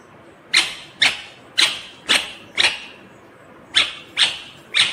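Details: Ringneck green parrot screeches repeatedly: eight loud, raspy, high-pitched shrieks, each about half a second apart with a pause in the middle.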